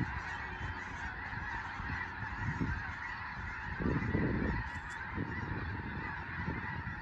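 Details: Large flock of snow geese at Fir Island, Skagit Valley, western Washington, taking to the air when a raptor such as a bald eagle flies over. Dense, continuous chorus of overlapping honks over a low roar of wingbeats and wind.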